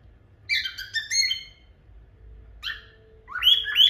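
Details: Pet cockatiel, one of a couple kept in India, singing: bursts of warbling harmonic notes, a stuttered phrase, then rising whistled notes ending in two high clear whistles, with a faint steady hum behind.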